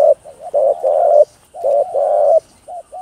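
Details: Spotted dove giving rapid, loud paired coos to excite other doves into calling; two short-long phrases of low, rounded notes with brief soft notes between, over a faint high steady tone.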